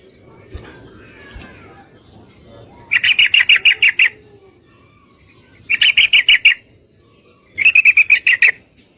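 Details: Rapid chattering mating calls of a female Yellow-vented Bulbul beckoning a male, in three bursts of closely repeated bright notes, the first longest, with quiet ambient noise between.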